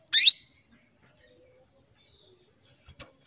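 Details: Canary hen calling out to a male to stimulate his singing: one sharp, high descending chirp, followed by near silence and a faint click near the end.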